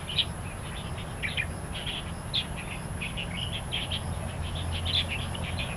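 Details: Wild starling song recorded in Taiwan: scattered high twittering notes and short chirp clusters, fairly continuous, over a low droning background hum.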